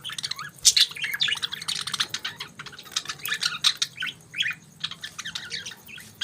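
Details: Budgies chirping in the morning: dense overlapping chatter of high, quick chirps and short warbled squeaks in bursts, with a soft low hum underneath.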